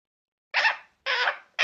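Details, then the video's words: Pet parrot indoors before going to sleep: harsh, raspy squawks about half a second long, repeated three times in a quiet room. "My Parrot Making Different Sounds Before Sleeping"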